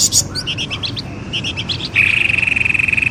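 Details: Bird lure for drawing birds out of bushes: quick stuttering chip notes, then a long rapid trill held on one pitch.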